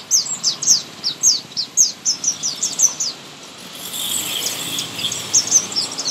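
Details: Sunbird singing in a garden: a quick run of very high, thin chirps, about two per second, which then gives way to a steady hissing insect-like buzz with a few more high notes near the end.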